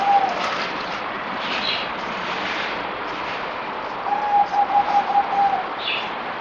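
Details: A zebra dove (merbok) on its fourth day of deworming, 17 April 2020, ends one phrase then, after a pause of several seconds, sings another staccato string of mellow coo notes; faint high chirps from other birds.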